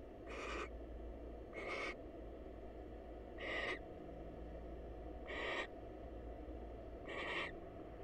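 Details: Greeting between a wild female barn owl and her male counterpart at a nest box: five hoarse, hissing screeches repeated roughly every one and a half to two seconds, steady in tone, with low hum underneath.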